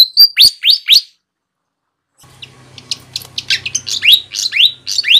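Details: Loud flycatcher calls used to lure wild birds: three down-slurred whistles, about a second of silence, then rapid chirps and falling notes over a faint low hum.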